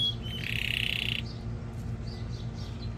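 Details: Canary singing to stimulate mating and tutor young birds, opening with a dense buzzy rolling trill lasting about a second, followed by softer faint notes over a low steady hum.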